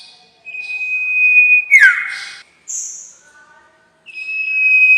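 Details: Sirtu lure call for bird trapping: a sustained clear whistle breaks into a falling sweep with a harsh burst, then a short high buzz, a pause and a renewed level whistle.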